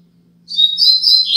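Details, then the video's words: Coleiro, or double-collared seedeater, giving a short piece of Braddock 'Tui Tui Zel Zel' tutor song meant for young birds to learn: clear high whistled notes held level, ending in a downward slur. A faint low hum runs underneath. "Tui Tui Zel Zel Top - Coleiro Braddock"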